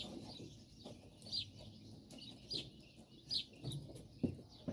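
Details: Several Japanese quail huddle together for warmth on a cold day, giving soft, thin high chirps scattered every second or so over a low background rumble.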